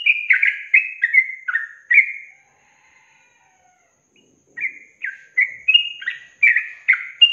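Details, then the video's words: Yellow-vented bulbul singing a long-trill style song (ropel panjang) used as a training recording for songbirds: bubbly, slurred whistled notes in quick runs, a silent gap of about two seconds, then another lively burst of liquid phrases. "Masteran Trucukan Ropel Panjang Garuda Tembakan"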